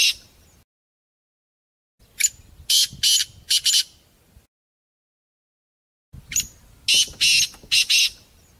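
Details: Harsh, rasping partridge calls in two separate bursts, each of four or five grating notes, with silent gaps between; the recording mixes sounds of different partridges.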